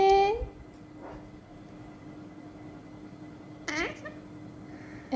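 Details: A pet talking Alexandrine parakeet says "Assalamualaikum" in two brief, harsh, speech-like bursts, one at the start and one near the end, over a steady electrical hum.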